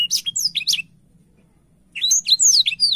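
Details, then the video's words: Blackthroat singing energetically, spreading its wings: a rapid run of high, sharp whistled notes swooping down and up, breaking off for about a second of silence before resuming with more slurred, descending high phrases. "Burung blackshot gacor sampai buka sayap"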